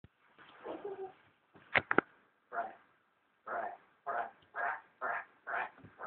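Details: A grey parrot repeatedly says "Brit", a short, hoarse one-syllable word about twice a second, after some rougher muttering and a few sharp clicks.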